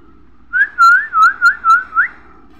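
A young parrot gives a run of five or six wavering whistles in quick succession, rising and falling around a mid pitch, in a quiet room.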